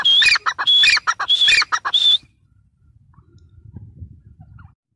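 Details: Teetar, the grey francolin, gives about two seconds of loud rhythmic calling, sharp grating notes capped by a high whistle repeated several times, then falls silent with only faint low background rumble.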